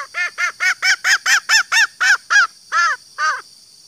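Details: Green junglefowl (Gallus varius), female call: female call that draws calling males.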